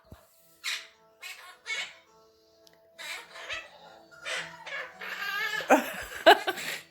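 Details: A pet Quaker (monk) parakeet, chatty after his bath, squawks and chatters in short bursts, imitating a chicken's clucking and a rooster.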